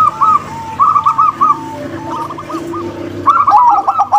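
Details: Zebra doves, a local female and a crossbred male: short runs of quick cooing notes at the start and end, with a softer, quieter stretch between them.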